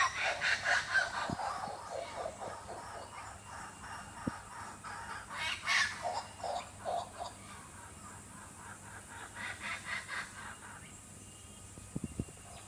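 Laughing kookaburras give a rollicking chorus of loud, harsh chuckling notes, about two bursts a second, that fades after ten seconds, leaving a few faint clicks.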